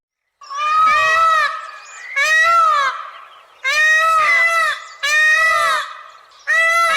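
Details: Peacock calling: loud, nasal, wailing honks with rich stacked harmonics, each lasting about a second and rising then falling, repeated five times at irregular intervals of roughly one to two seconds.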